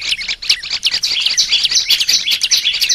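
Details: Caged olive-backed tailorbird recorded for song training, giving fast trilled bursts of high sharp notes in two pitch layers, a steady stream of strokes about every tenth of a second.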